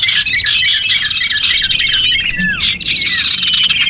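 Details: Recording of small birds used as a lure. A dense twittering chorus is heard, with one prominent falling whistle near the middle and shrill chips crowding the rest.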